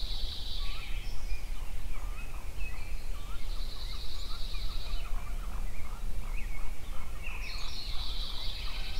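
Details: In a Yellowstone sunrise chorus, songbirds give three bursts of high buzzy trilling. Between them come rapid runs of short whistled notes and scattered chirps, over a continuous low rumble.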